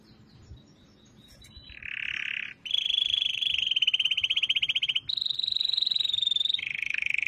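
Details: Singing canary delivering long rolling tours: a soft buzzy phrase, then sustained rapid trills held on one pitch, shifting higher, then dropping to a lower rolling trill, each tour lasting one to two seconds.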